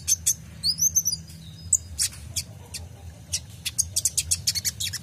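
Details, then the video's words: Tutor song of a kolibri ninja sunbird for caged songbirds: sharp high chips, a brief warbled trill, then a quick run of piercing, evenly spaced ticking notes toward the end, over a low hum. "PANCINGAN KOLIBRI NINJA (Konin) FULL ISIAN tembakan mantap"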